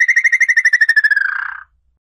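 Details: Red-legged tinamou song: a rapid run of about twenty clear whistled notes on one pitch that speeds up, drops slightly and ends in a short slurred, buzzy fall. The background is otherwise silent.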